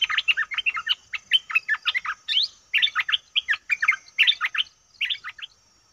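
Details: Bulbul recorded as a lure for wild birds, giving a fast, continuous chatter of sharp, sliding chirps with a brief pause midway. No other sounds.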